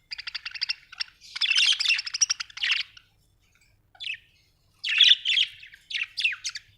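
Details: Budgerigar chirping in fast rattling pulses, then a busy scratchy warble, a pause, and further bursts of bright chattering chirps with sharp rising notes.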